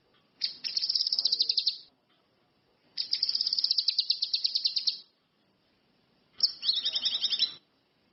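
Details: Orange-headed thrush delivering three separate runs of quick, high, chattering notes, the last with a descending twittery edge, separated by brief pauses.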